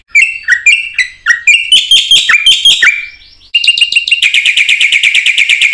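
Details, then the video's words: Loud full song of a black-winged myna, played as a training lure for other mynas: strident whistled and grating notes in varied phrases, a rising slur, then a steady rapid harsh rattle repeated to the end. "suara jalak putih gacor full isian ini pancingan masteran burung jalak bengong auto plong"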